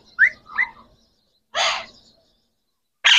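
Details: Green Pakistani talking parrot, one of three kept birds, giving two quick rising squawky notes followed by two short bursts of harsh, broadband screech with quiet gaps between.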